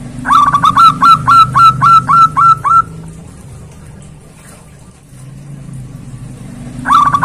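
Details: Zebra dove calling loudly to a rival: a run of about nine short, clipped, evenly spaced cooing notes over roughly three seconds, then a quiet pause with low hum before the notes start again.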